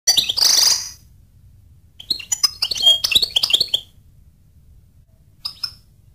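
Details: Goldfinch: a loud buzzy burst at the start, then a second or two of quick, high, liquid twittering notes. Quiet gaps follow and a last faint pair of chirps comes near the end.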